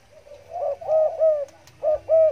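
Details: Zebra dove in a hanging cage after its bath, giving a short run of soft low coos that swell into a few louder arched notes, with a brief pause before the final pair.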